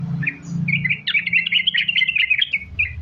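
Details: Sooty-headed bulbul in energetic 'gacor' singing, used as a lure to get other bulbuls to sing; a bubbling cluster of fast, high twittering notes over a steady low background hum.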